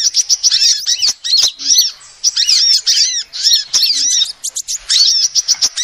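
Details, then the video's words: Lure recording of a female sunbird: high, squeaky chirps and looping slurred notes in quick bursts, with brief silent gaps around the middle and near the end. "SUARA ASLI KOLIBRI BETINA"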